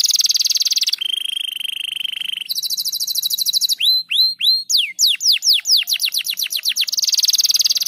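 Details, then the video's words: Crested canary delivering nonstop 'gacor rapat' song: a bright high buzzing roll, a lower level trill, a rapid rattle, rising hooked whistles and a speeding run of downslurred notes, ending in another loud roll. "Kenari Jambul Gacor Rapat"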